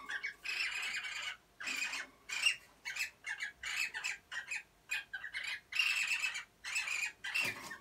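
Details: Cockatiel (Nymphicus hollandicus), mating call: stimulating breeding.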